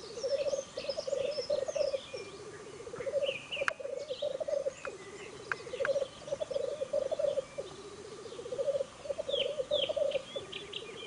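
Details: Black grouse at a lekking display in May 2015 in the Ammergau Alps: a continuous low, dove-like bubbling coo rolling on in long phrases, some rising at the end, with thin calls of other birds higher above.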